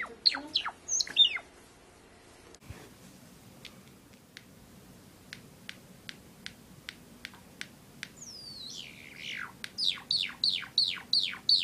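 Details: Three Java sparrows give sharp high chirps, then a run of dry ticking clicks about twice a second, ending in quick bursts of steeply falling chirps.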